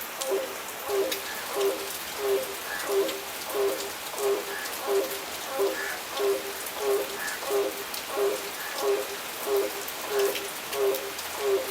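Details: A Grey crowned crane at Seletar Aerospace Park, Singapore, inflates its red gular sac while calling, giving short, mellow honks in a steady series about one and a half per second, over a constant hiss like falling rain.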